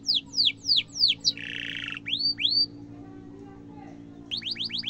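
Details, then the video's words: Canary in full song, used as a tutor for young canaries: rapid downslurred high notes, a brief buzzy burst, two rising swoops, a pause, then a quick trill resuming, over a faint low hum. "kenari gacor cuit cuit ngerol tajam suara kesukaan semua kenari efektif buat masteran kenari muda"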